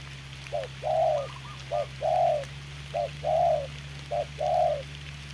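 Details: Spotted dove used as a trapping decoy against a wild bird in rainy weather: clipped short notes each followed by a longer rounded coo, four pairs, with faint higher coos from a second dove and a low droning hum.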